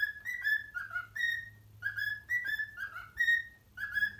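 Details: Pet parrot whistling a tune, Addams Family remix for parrot friends: phrases of three or four gliding whistled notes, some dropping in pitch, repeated in quick succession over a low hum.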